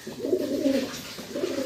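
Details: Domestic pigeons, one a very aggressive bird biting its owner's hand while calling, with other pigeons calling loudly nearby in the morning, give low, rolling coos that swell and fade in soft repeated phrases.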